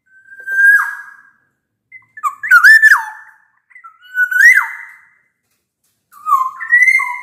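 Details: Black-naped oriole in strong song, clear and piercing like a bamboo flute, used to lure reluctant orioles to sing: four separate whistled phrases, each a bright slur that swoops and drops, roughly every two seconds.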